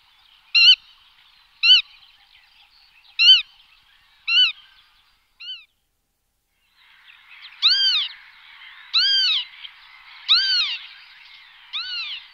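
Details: Black-tailed godwit calling, a series of nasal, rising-falling disyllabic notes repeated roughly every second, a short pause, then a second bout of louder overlapping calls from more than one bird against faint background chatter.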